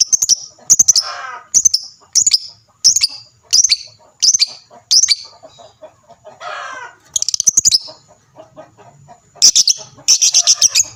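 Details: Lovebird chattering loudly, used to prompt other lovebirds to answer and sing: shrill high chirps in short rapid bursts roughly every half second, with a few lower rasping notes between bursts.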